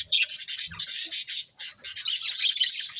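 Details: Caged budgies feeding on corn give loud, dense bursts of harsh high chattering chirps, pausing briefly once before continuing.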